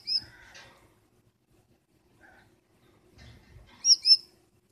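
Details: Female Gouldian finch scolding her blue male mate from inside the nest at night; a soft high note and a brief rasp, then after a pause a sharp double squeak, quiet low bumps between.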